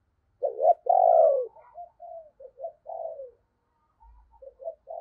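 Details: Captive decoy spotted dove calling wild doves in the morning: opens with a strong, rolling low coo, then a string of softer, shorter cooing notes that trail off and resume. Slight low rumble near the end.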